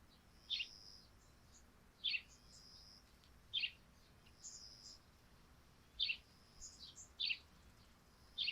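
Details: Repeated sparrow chirps on a thatched roof covered in morning dew, sharp bright notes every one to two seconds, some doubled, with fainter chirping from other birds and a steady high hum underneath.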